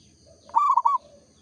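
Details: Local zebra dove in full song, one brief soft cooing phrase of three or four rapid rolling notes, followed by quiet background.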